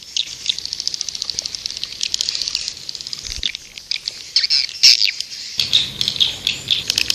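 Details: Calling sound of white-nest swiftlets played as a lure: continuous high rapid chirping and clicking twitters, growing louder and more irregular toward the end, over soft hiss.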